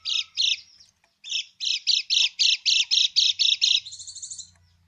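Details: Lemon-bellied white-eye in krekek style, a call to coax silent birds into answering: buzzy chattering notes speed up and grow louder, ending in a thinner, higher drawn-out buzz.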